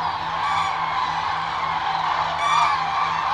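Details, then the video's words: Wintering Eurasian cranes in the Agamon Hula Valley near the Jordan River, Israel, December 2022: a constant wash of many bugling calls, with one clearer trumpeted note rising out of the flock near the end, over a low hum. "Ždralovi zimi u Ahula dolini uz rijeku Jordan - Euroasian crane - Grus grus"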